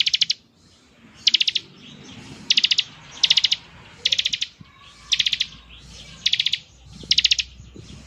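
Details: Bar-winged prinia giving ngebren song: eight evenly spaced bursts of rapid high buzzy pulses, about one each second, with faint low rumble beneath.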